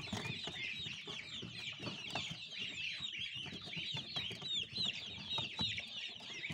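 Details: Chicks peeping in a busy chorus, many high overlapping chirps over a constant rough background rumble and clatter.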